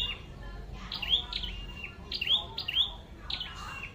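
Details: Red-headed flowerpecker used as a decoy to trap wild birds: sharp, high chirps that each drop into a short thin tail, given in quick bursts about every second, over a faint low rumble.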